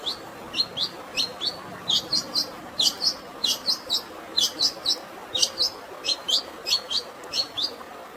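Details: Long-tailed shrike delivering a sparrow-filled fighting song: a long, fairly steady series of crisp, high, doubled chirps at about 87 per minute, with the soft rush of natural water in the background.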